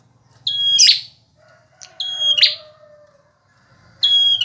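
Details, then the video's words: Male bar-winged prinia singing vigorously, kept as a tutor for other songbirds: three loud phrases, each a steady high whistle followed by a sharp buzzy burst, about two seconds apart. A faint low hum runs underneath. "Suara burung prenjak jantan gacor"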